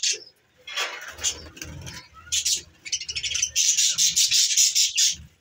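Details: A flock of wild budgerigars chatters busily, with bright warbling chirps and buzzy notes tumbling over one another.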